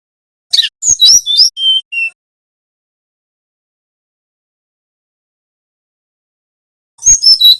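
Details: {'caption': 'Brown-chested jungle flycatcher, Bali type, singing the nyiul style used to train young birds: quick sharp chirps and two descending whistles, a five-second silence, then a fresh burst of high chirps. Otherwise silent.'}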